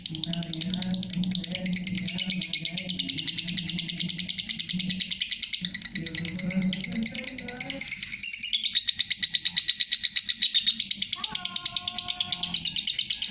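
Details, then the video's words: Lovebird ngekek chatter for masteran: continuous fast high buzzy pulsing across thirteen seconds, mixed with low humming sounds and a few clear sustained tones late on. "love bird masteran ngekek panjang"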